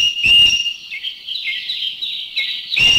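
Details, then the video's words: Strident green magpie call, recorded in Thailand: a harsh, rasping burst opens, then long high whistled notes that dip and level off, and a second grating burst closes. A greater necklaced laughingthrush is heard in the background. "thrush. The green magpie is the one with the strident call. Number"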